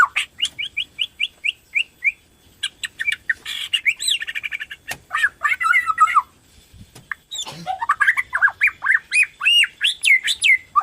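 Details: White-rumped shama of Borneo type singing continuously to stimulate other shamas: a fast series of short repeated notes, buzzy chatters, then tumbling slurred whistles and a rapid rising sequence.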